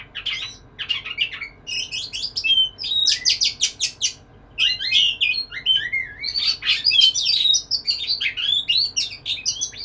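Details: White-rumped shama singing in courtship of a female, starting with spaced chips, then breaking into a rapid stream of whistles, slurred notes and harsh chatter.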